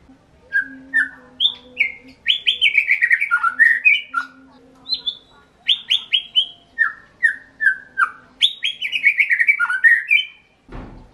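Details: Three bursts of white-rumped shama song: spaced clear whistles lead into quick tumbling runs of falling notes, with a brief pause between phrases and a sharp knock at the end.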